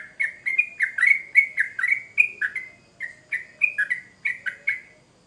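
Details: Sooty-headed bulbul singing as a lure for other birds: a run of bright, slurred chirps that slows toward the end, with a brief gap midway and a faint background hum.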